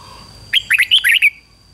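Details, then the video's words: Red-whiskered bulbul decoy singing to lure wild birds: one quick phrase of about six clear, whistled, up-and-down notes lasting under a second, over a faint steady high whine. "Chào mào mồi hót gọi bổi đỉnh cao chuẩn nhất"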